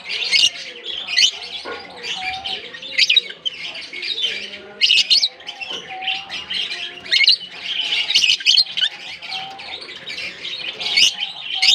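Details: Colony of African lovebirds in Larkana: dense, continuous high-pitched chirping and shrill squeaks from many birds overlapping, with softer cooing-like arcs lower down in the background.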